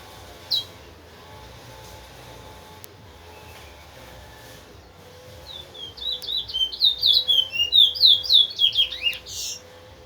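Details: After about six seconds of near-quiet room hum, a large-billed seed finch (towa towa) from Linden, a teacher bird for young birds, bursts into rapid ringing whistled notes, roughly four per second, rising in volume before stopping.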